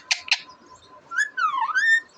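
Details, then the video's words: Deshi parrot on April 28, 2024, giving two sharp clicks, a pause, then a bending whistle that dips and rises again over a constant faint hum. "Deshi Cute Parrot Talking Natural Sounds"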